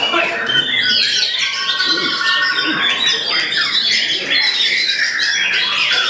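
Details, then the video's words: White-rumped shama (murai batu) performing a sought-after style, pouring out a large repertoire of song material: a dense, fast stream of varied whistles, sweeping slurs and chattering notes with no pauses, over a steady background hiss. "MURAI BATU ALVARO TAMPIL NGERI BONGKAR SEGUDANG MATERI, GAYA PALING DICARI"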